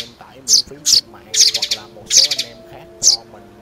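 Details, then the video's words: Sparrows in a recording used to lure birds into net and glue traps, five short bursts of shrill chirping at uneven intervals, with faint sliding musical tones in the background. "Tiếng Bẫy Chim Sẻ Trong Xóm 2024"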